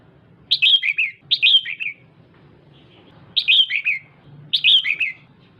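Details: Red-whiskered bulbul female stimulating the male with lively chirped phrases, each a rapid run of four or five clear notes falling in pitch; four phrases come in two pairs separated by a short quiet gap.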